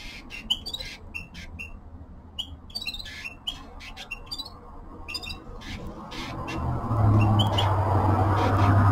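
A red-fronted serin gives quick, high twittering and chirping notes in bursts. A low hum and rising background noise swell toward the end.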